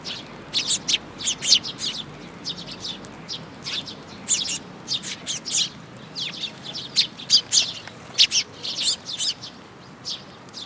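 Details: Flock of sparrows at a feeding spot on a shrine bridge railing, June 2022, keeping up steady, overlapping short chirps throughout, with a low background rumble.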